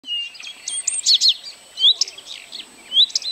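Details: Blyth's reed warbler singing at Kępiny Małe, Pomeranian Voivodeship, Poland, on 12 June 2011: varied high whistled and chattering notes with repeated clear rising whistles, continuous and lively.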